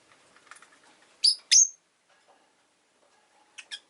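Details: Sharp, shrill chirps from a pet rosy-faced lovebird: two loud notes in quick succession, then a softer pair after a pause, with faint background murmur.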